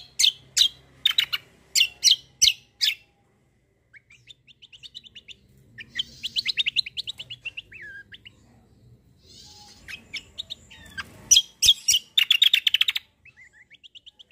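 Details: Black-winged myna singing a vigorous fighting-style rolling song: bursts of loud, sharp chirps alternate with fast, rippling twittered phrases and rolling trills, over a faint low rumble.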